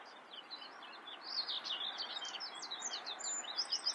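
A common whitethroat sings a fast, scratchy, chattering warble of high notes for nearly three seconds, over a steady background hiss.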